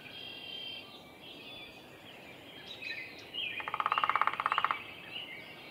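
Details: Downy Woodpecker drumming at Roberts Bird Sanctuary, Minnesota: a rapid roll lasting about one second with roughly fifteen even taps; faint chirps and whistles from other birds before and after.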